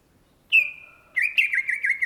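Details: Greater green leafbird, cucak ijo, gives one long steady whistle, then after a short pause a fast run of warbling, wavering whistled notes repeated about five times per second.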